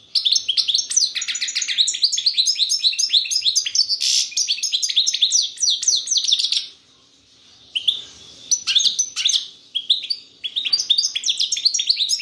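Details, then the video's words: European goldfinch delivering кокил песса song: long, lively streams of sharp twittering chirps and trills, broken by a short quiet gap, then resuming with buzzy and tinkling phrases. "Щегол пение кокил песса"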